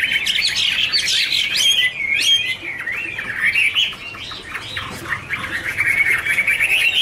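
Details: Chinese hwamei duetting as they dance, pouring out a varied warble that moves from sharp high slurs into a steadier, wavering whistled stream.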